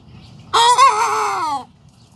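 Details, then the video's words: Sanjak cockerel just starting to crow gives a single brief crow: two quick wavering lifts at the start, then a long, smoothly descending note, about one second in all, over quiet background. "Sanjak Cockerel starting to crow"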